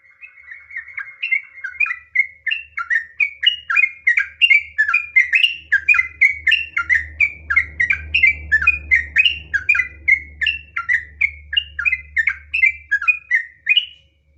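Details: A singing yellow-vented bulbul performs long ngropel phrases in the nggaruda style: a sustained string of chattering, bouncing whistled notes repeated steadily for over thirteen seconds, over a faint low rumble in the middle.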